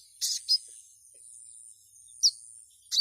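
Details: Ruby-cheeked sunbird female calling to a male: short, high, sharp chips, a quick pair then single notes at irregular gaps, over a faint steady high hiss.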